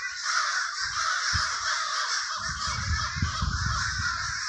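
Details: Crows in the Villa Park neighborhood, Trenton, New Jersey, heard as a thick, unbroken wash of raucous cawing from many birds, with low thumps and rumbling underneath.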